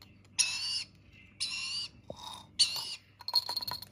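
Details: Rainbow lorikeet chick at feeding time, giving harsh, raspy begging bursts of about half a second each, three loud ones spaced roughly a second apart, with softer scratchy noises and faint clicks between them.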